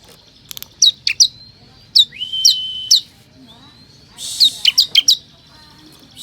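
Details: Ciblek kristal lure calling to attract wild forest ciblek. Scattered high downslurred chips are mixed with a flat drawn whistle, and a tight cluster of chips and a brief noisy burst come near the end.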